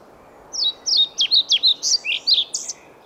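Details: Singing male European pied flycatcher, recorded in Sweden with a female listening: a quick high strophe of around ten clear notes, opening with paired downslurred whistles and closing in varied rising and falling flourishes.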